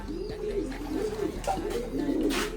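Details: Domestic pigeons, paired with a bird from Japan, giving low, throaty coos. The coos are repeated in rolling phrases through the clip, with a faint room hum behind them.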